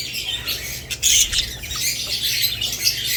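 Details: Budgerigars mixed with lovebirds: a loud, scratchy squawk burst near one second stands out over ongoing high-pitched chirping and twittering.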